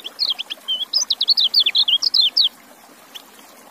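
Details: Kecial, a white-eye, delivering one fast twittering phrase of about a dozen sharp, high, downslurred whistled notes lasting over two seconds, then falling silent; quiet background.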